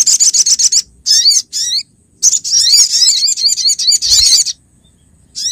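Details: Female olive-backed sunbird calls the male, a lure recording from Pronojiwo, Lumajang: long runs of shrill, rapidly repeated chirps with wavering, zigzag notes, broken by a short pause near the middle.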